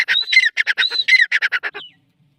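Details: Teetar, the grey francolin, giving a fast rattle of rough chattering notes laced with two high whistled slurs, ending abruptly with a short falling note, followed by silence.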